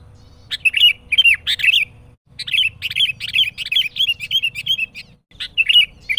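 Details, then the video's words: Sooty-headed bulbul singing loudly and persistently, a song used as a lure for trapping and to provoke rival bulbuls: bursts of quick chirpy bubbling notes in short phrases, separated by brief pauses, with a faint low background hum. "SUARA Kutilang Pikat gacor Menekan Lawan"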